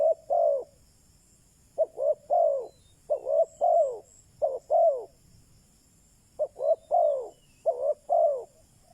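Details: Spotted dove used as a decoy to attract wild doves, repeating gentle coo phrases of quick short notes and longer falling ones, a silent stretch near six seconds before the pattern resumes.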